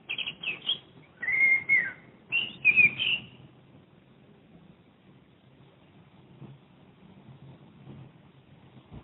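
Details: Common blackbird recorded from a window in Madrid, a lively burst of fluted whistles and warbles over about three seconds, followed by quiet with faint low background noise.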